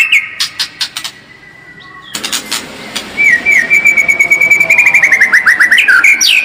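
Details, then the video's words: White-rumped shama song used as a lure to make the bird more combative. A few clicks open it, then a pause, then a fast, even train of repeated short whistled notes that drifts slightly downward. "SUARA PANCINGAN MURAI BATU AGAR MENTAL SEMAKIN FIGHTER"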